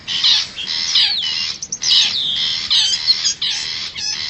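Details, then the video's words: Wild forest long-tailed shrike as a lure for wild birds: scratchy chatter mixed with clear looping whistled notes and quick twittering, in uneven bursts. "suara pikat burung cendet hutan"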